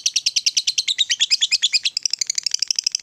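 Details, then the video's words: Lovebird, a fighter-type bird, used as a prompt for other lovebirds to sing: a fast run of high, squeaky chattering notes, about six per second, breaking into quicker, thinner twitters toward the end. "Suara Lovebird ini Bisa bikin LB mu Rajin Bunyi Sepanjang Hari"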